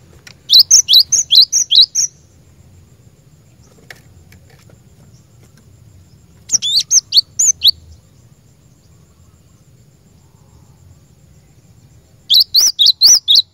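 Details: Cinereous tit used as a lure bird sings three separate bursts of sharp, high, repeated two-part notes, each burst about a second or two long and divided by quiet gaps.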